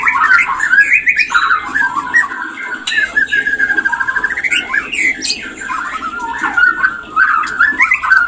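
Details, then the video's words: Murai batu, the white-rumped shama, singing to trigger breeding condition: dense continuous warbling and chattering with a long rapid trill in the middle, busy and noisy throughout, short pause near three seconds. "SUARA TOP menaikan Birahi LANGSUNG KAWIN"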